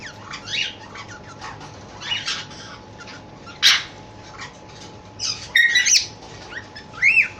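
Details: Cockatiel in love calling with scattered short chirps and squeaks, a louder sharp call midway, then a cluster of clear whistled and rising notes near the end.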